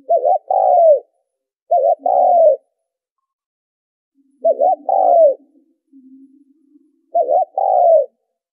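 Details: Spotted dove coos used to attract birds when trapping: four phrases, each a brief two-part note then a longer downward-sliding coo, separated by pauses, with a soft low hum between calls.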